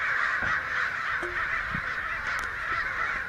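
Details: Many excited American crows, perhaps a hundred, raising a racket along a Santa Rosa street in late May; a steady wall of overlapping hoarse caws, with a few faint clicks and taps in the background.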